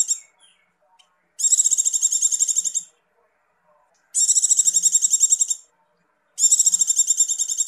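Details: A Javan white-eye (Zosterops flavus) in breeding condition, possibly female, gives three bursts of very fast, high, buzzy twittering, each about 1.5 seconds, with short silences between; the call is used as a lure to excite males.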